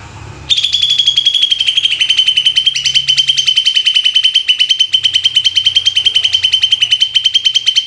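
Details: Greater green leafbird in the 'tembakan' song style, a fast machine-gun run of sharp, high notes held at one pitch, roughly four each second, continuing for several seconds after a sudden start; a low background hum is present.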